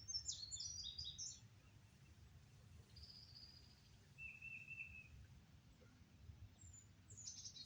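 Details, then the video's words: Wild birds singing outdoors in Oklahoma on May 22 under drifting clouds after storms: a quick burst of high, thin tumbling notes, then short buzzy trills at lower pitch, over a steady low rumble of background noise. "Oklahoma Skies and Bird Sounds"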